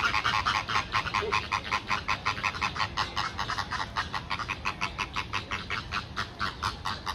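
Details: A group of Chilean flamingos calling at Calgary Zoo, May 2023: dense, rhythmic nasal honking repeated almost three times a second, loud and steady, from many birds at once.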